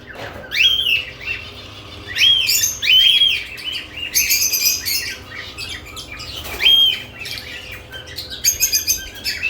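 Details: Lovebirds active at newly provided nest boxes call with repeated rising whistled chirps and bursts of harsh high chatter, loud phrases every second or two with brief pauses; faint room hum.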